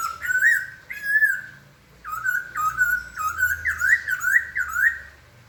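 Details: White-crested laughingthrush song of loud whistled phrases, each note sliding upward, repeated in quick series of about five to six, with a short gap between groups; a low hum sits underneath.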